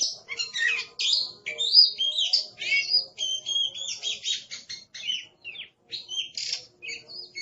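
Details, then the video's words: Caged Oriental magpie-robin described as aggressive pours out a dense, noisy run of varied whistles, sharp chirps and scratchy buzzy phrases in quick succession, rhythmic pulses about once a second, over a faint steady hum. "Suara Master Burung Kacer Galak"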